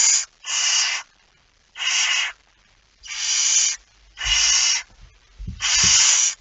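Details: Barn owl with a mouse, recorded in the early hours of 17 September 2019: six loud harsh hissing screeches at irregular intervals, with soft bumping sounds near the end.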